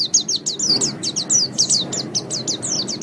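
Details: Caged-bird training song of a white-eye, meant for morning or evening sessions; quick run of sharp, high, downslurred chirps repeated in a steady twittering series over a faint low background hum.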